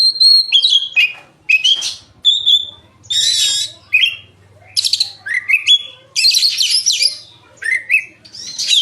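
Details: Kacer, the oriental magpie-robin, singing vigorously: rapid alternation of pure whistles, upslurred notes and scratchy, buzzing phrases, with brief pauses between bursts; a faint low hum underneath.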